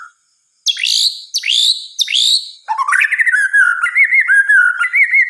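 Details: White-rumped shama singing at night: three loud, sharply falling whistles spaced about half a second apart, then a rising note opening into a fluid, warbled sequence of looping whistles.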